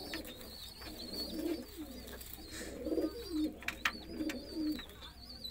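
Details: Several roller pigeons coo in a loose, irregular rhythm, low bubbling phrases rising and falling, accompanied by sharp high chirps of small birds and a few knocks.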